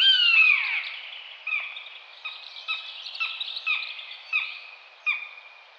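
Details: Common buzzard (Buteo buteo): a loud, sweeping, descending whistle opens, then softer short notes that dip at the end repeat at uneven intervals.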